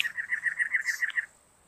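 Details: A cactus wren rattles off about ten rough, rasping notes in quick even succession, stopping abruptly after little more than a second, with a brief breathy noise midway and a faint steady hiss.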